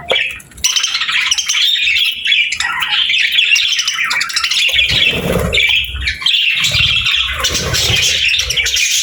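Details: Happy pet parakeets in cheerful chatter with a nature-sound ambience: near-continuous scratchy warbling and squeaky chirps, dipping once at the start, with soft low knocks beneath.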